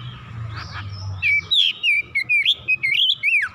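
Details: Agitated oriental magpie-robin showing off its full repertoire, starting softly and then launching into a rapid string of loud, clear, swooping whistles, about three notes a second, some rising and others falling.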